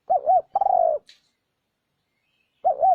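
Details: Spotted dove call played as a lure for wild birds: a pair of quick arched coos and a drawn-out burry note, followed by a pause, then another double coo starting. No other sounds.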